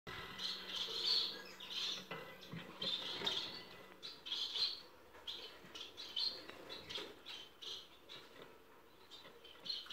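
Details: Young cut-throat finch siblings, recorded in 2018, give short high chirping calls in clustered bursts every second or so, with faint rustling in the background.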